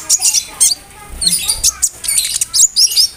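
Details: Konin bird singing a varied mimicked song with cricket, brem and kamade imitations, used as a tutor for murai, canaries, cucak ijo and lovebirds; short high chirps and trills in bursts with brief pauses.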